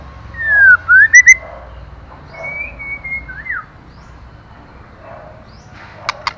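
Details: Female white-rumped shama singing to stimulate the male: clear whistled phrases, a rising-falling slur followed by three quick sharp notes, then a long level whistle ending in a downward slide, with faint clicks.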